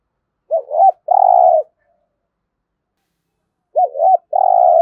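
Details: Spotted dove in 'thúc gù' cooing, practised daily to train decoy birds: two phrases about three seconds apart, each a pair of wavering notes followed by a long level coo, with silence between.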